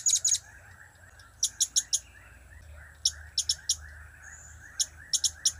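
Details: Blue-crowned hanging parrot repeating cap, kiak and crap calls in several clusters of two to four shrill, clipped chips spread evenly across the clip, over a low steady drone.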